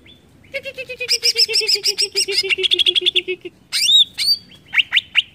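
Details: Leafbird song meant to agitate other greater green leafbirds: a long, fast buzzy trill of evenly spaced notes, followed by clear rising whistles and sharp upward chirps.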